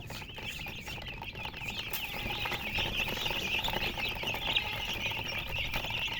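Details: Chickens chirping nonstop, many high wavering peeps overlapping into a shrill chorus, about two notes a second standing out, over light rustling and background noise.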